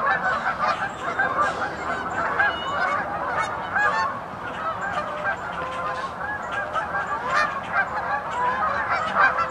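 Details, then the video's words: A flock of geese keeps up loud overlapping honks, with some sharper individual calls standing out above the constant chorus. "GEESE AND DOGS ALL MAKING NOISE"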